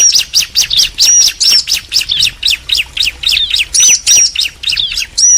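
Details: Male and female bar-winged prinias call back and forth in a dense, overlapping stream of high, clipped chirps, with thin whistled notes woven between them.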